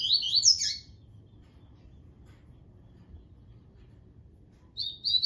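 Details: Double-collared seedeater in Tui Tui style: a fast run of high, twittering falling notes ends a phrase at the start. A long quiet gap follows, then a new phrase begins with steady high whistles.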